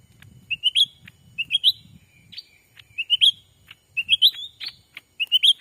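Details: Black-capped bulbul lure call used to attract wild birds in a Sumatran forest: short bright rising chirps and slurred whistles in quick clusters, repeated every second or so, with low murmuring noise underneath.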